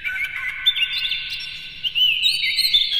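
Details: Energetic kacer, or Oriental magpie-robin, song used as a training lure to rouse other birds: a continuous stream of bright twittering and whistled notes over a ringing, reverberant background, with no other sounds.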